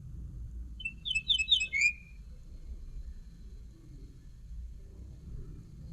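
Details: Short song phrase of a common linnet: clustered, buzzy-bright twitters closing with a descending whistle. Then only a quiet low-frequency background.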